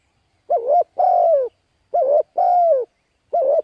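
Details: Spotted dove calling, used to lure wild birds: loud, clear cooing phrases, a short wavering coo followed by a longer falling coo, repeated in pairs every second or so, with no other sounds.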